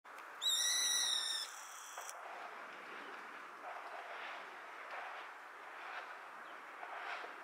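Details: A juvenile brown-eared bulbul (Hypsipetes amaurotis), recorded 27 December 2022 around 13:44, gives one loud, shrill, strained screech lasting about a second, followed by steady hissing background noise.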